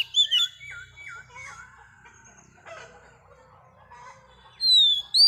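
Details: Wild-caught female Oriental magpie-robin singing to stimulate males: a loud high whistle, then a series of looping downward-curling notes repeated about once a second, soft warbling, and a clear rising whistle at the end.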